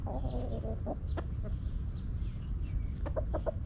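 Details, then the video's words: Backyard hens in a coop clucking, a run of repeated harmonic clucks at the start and a quicker series of short clucks near the end, with steady low background hum throughout. "Rooster Crowing! Hens Clucking!"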